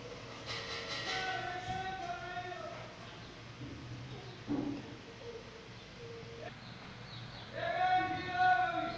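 Rose-ringed parakeet chicks give harsh, raspy, harmonic-rich calls in two drawn-out bursts, separated by a quieter stretch with a low background hum.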